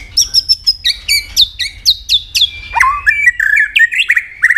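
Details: White-rumped shama in competitive singing, the bird flicking its tail: a fast run of bright, high whistled notes repeated several times per second, then lower, sweeping whistles that rise and fall.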